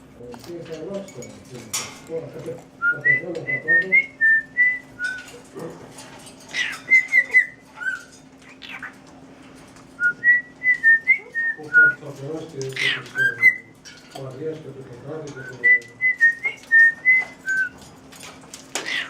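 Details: A pet cockatiel whistles the tune "Tequila", clear chirpy notes in short rising and falling phrases.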